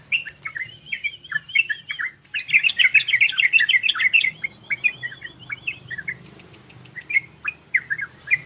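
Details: Orange-spotted bulbul song in the ropel and garudo styles, used to stimulate breeding condition in listening birds: chattering bubbly phrases, with a run of rapid wavering whistled notes near the start, then dense warbling and spaced sharp chirps.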